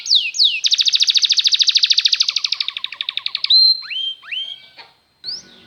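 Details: Belgian canary song used as a singing lesson for canaries: two swooping whistles, a rapid pulsed trill with a lower buzzy tail, then a held tone and scattered rising slurs before a pause.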